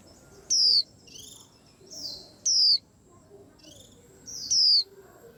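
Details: White-eye said to set a whole rack of birds astir: a repeated series of loud, piercing, downward-slurred whistles, about one every second or two, alternating with softer, lower chirps.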